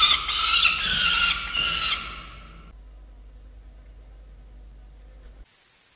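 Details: Peregrine falcon chicks at their nest in November, recorded by camera: two seconds of rasping, wavering screams that cut off into near silence for the rest.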